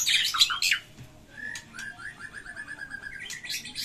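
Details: White-rumped shama in fighting mood, singing persistently with a rich, varied repertoire: a burst of high squeaky notes, then a long even series of short whistled notes repeated rapidly, ending in loud rising chatter.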